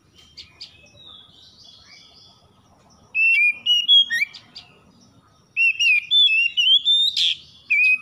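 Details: Oriental magpie-robin (kacer) at dawn, a morning-dew lure song meant to set stressed magpie-robins singing: faint scattered notes, then two loud bursts of clear, rising and falling whistles with quick slurred phrases and sharp chips.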